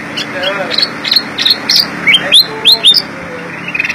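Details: Black-crested Bulbul (kutilang emas) giving gacor isian song: a string of clear upslurred whistles, roughly two per second, growing louder toward the middle, with faint murmuring voices and a low hum in the background.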